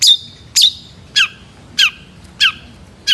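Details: Long-tailed shrike repeating harsh, rasping notes, each trailing into a short buzzy whine, six notes roughly every half second.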